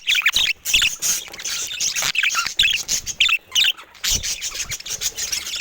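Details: Budgerigars of various colour mutations call in short, distinct bursts: scratchy warbled chirps and squeaks separated by brief gaps, repeated irregularly several times a second, with quieter chatter behind.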